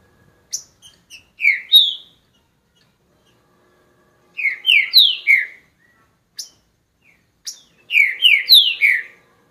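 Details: Green-winged saltator repeating its song three times, each phrase a quick series of three or four loud slurred whistles falling in pitch, separated by pauses of a few seconds with thin high ticks.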